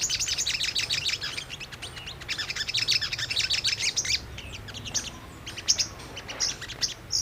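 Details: Brown-throated sunbird song played as a lure to provoke a response: dense, high, rattling twitter for four seconds, then scattered sharp chirps and a few thin notes, with faint low hum.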